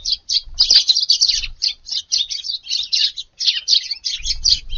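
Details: Eurasian tree sparrows (Passer montanus) at a garden in the morning on 19 August, arriving at dawn on a hot day, chirp busily: a dense stream of short, harsh cheeps over a faint low rumble.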